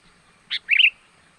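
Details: Sooty-headed bulbul calling to lure wild birds: one sharp chirp followed by a short bubbling warble that wavers up and down.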